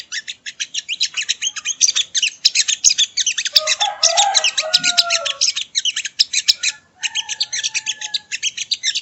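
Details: Sogo ontong (sogon) training song: loud, rapid high twittering held almost without break, with a lower warbled phrase near the middle.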